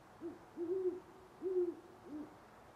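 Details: Deep hooting of a great horned owl near sunrise in Parker, Colorado, on November 25, 2011; four soft low notes, short then drawn out, the third strongest, with faint steady background noise.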